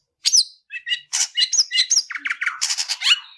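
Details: Long-tailed shrike in 'tarung ngalas' fighting-style song, used as a tutor recording for training cendet: a rapid run of harsh, buzzy chirps and sharp high whistled notes, densely packed with no gaps after the first note.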